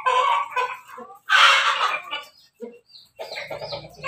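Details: Crossbred Pelung, Bangkok and Ketawa chickens at morning feeding make a few clucks, a sudden loud harsh squawk, then scattered softer clucks and short calls.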